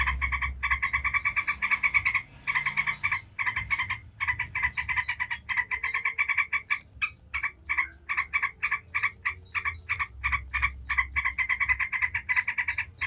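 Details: Sustained ngebren chattering of a yellow-vented bulbul, meant to set other bulbuls singing: dense runs of rasping, rattled notes with only brief breaks, loosening into separate clipped notes midway.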